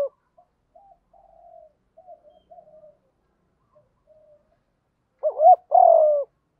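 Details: Spotted dove lure call of the 'gù đấu' fighting type: several seconds of faint, broken murmurs, then one loud two-part coo, a dipping note followed by a fuller sustained hoot.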